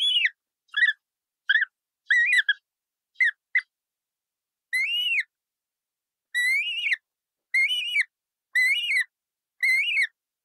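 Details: Bright parrot calling with a run of short, clipped squawks that gives way to longer, arched, screechy calls repeated about once a second.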